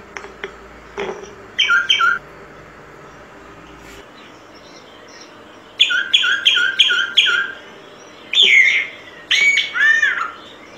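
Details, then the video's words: Solitary cacique singing: bursts of loud nasal, buzzy notes repeated in quick runs, then rising and falling whistled phrases, separated by quiet pauses over faint background hiss. "Canto Del Boyero Negro Pico Blanco."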